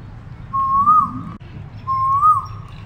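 An Asian koel gives two clear, rising whistled notes, each swelling upward at the end, about a second and a half apart, over a low background rumble.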